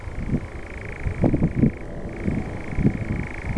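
A nightjar gives a steady, mechanical churring trill that dips briefly in pitch midway, over low rumbling noise and a few soft thumps.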